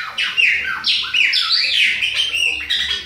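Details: Chopi blackbird from Bahia, a young bird, in autumn: a short, loud, continuous phrase of rich rolling whistles and squawky slurs sweeping up and down.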